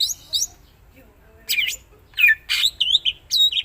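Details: Cucak ijo (greater green leafbird) showing off its varied 'isian' song. Two high upward slurs open, then after a quiet spell comes a string of loud rough notes and ringing downward whistles.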